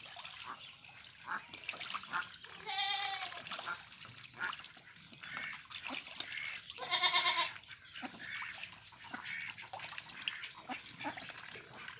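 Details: Ducks on a pond, with Mandarin ducks, mallards and Pekin ducks present: two loud, drawn-out nasal quacks with rich harmonics, about four seconds apart, over a steady background of dripping and splashing water.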